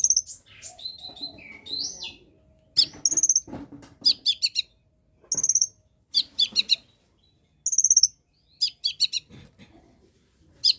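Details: Long-tailed shrike song meant to prompt lazy shrikes into singing: rapid chattering bursts, high thin whistles and rising slurred notes in varied phrases separated by brief pauses.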